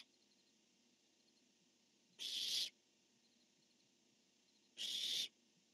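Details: Barn owl pair exchanging calls, male calling and female answering, dated 10-1-15: two harsh hissing screeches, each about half a second, spaced roughly two and a half seconds apart, with quiet hum between.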